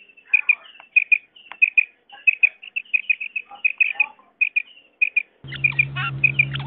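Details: Common quail calls used for hunting: sharp, high, clipped notes mostly in quick doubled pairs, repeated about every half second with brief gaps, followed near the end by a steady low electrical hum.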